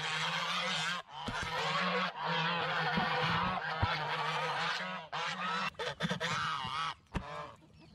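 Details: Farm geese honking continuously in a dense, overlapping chorus of harsh nasal calls, with several birds calling at once.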